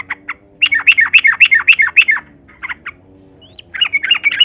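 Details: Yellow-vented bulbul singing long rapid phrases as a lure for captive bulbuls: a steady run of about ten loud, quick bubbly notes, a brief pause with a thin rising whistle, then the chatter resumes.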